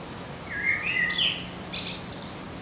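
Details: Garden blackbird song: two mellow, fluty whistled notes sliding slightly downward, followed after a pause by a squeaky, higher twittering flourish. Faint steady background noise.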